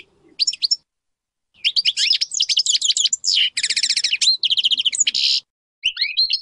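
European goldfinch singing a rapid, tinkling run of high twitters, buzzy trills and liquid notes in dense bursts, with brief pauses; nothing else heard.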